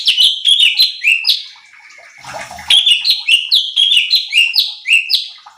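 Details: Cucak cungkok bulbul in full chattering song, used as a training recording to provoke other birds: rapid series of bright, slurred whistled notes, each dipping then rising, repeated in quick bursts, broken midway by a short noisy, watery rustle.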